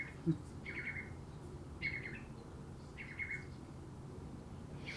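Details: Eurasian curlew (Numenius arquata) giving short, level, mid-pitched piping notes, repeated about once a second, over a steady low rumble; one of the many different calls a curlew makes.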